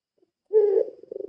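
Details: Ringneck dove of the puter pelung type giving a lure call: a brief low coo swelling in, then a rapid rolling series of throbbing pulses at the end, heard alone against silence.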